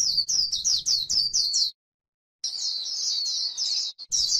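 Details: White-eye, líu style, on grassland: a rapid run of high, looping chirps for under two seconds, a short silence, then a sustained thin, wavering warble.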